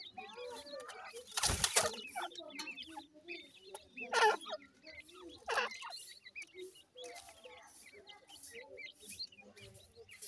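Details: Young grey francolins at feed: a busy stream of short high cheeps and twitters, lower soft clucking underneath, and a few loud knocking clicks near the start.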